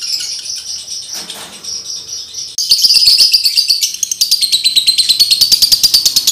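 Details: Breeding-condition male lovebird used to train other males: a thin, steady high whine, then a sudden switch to rapid shrill ticking chatter repeated about three times a second, growing louder and more even toward the end.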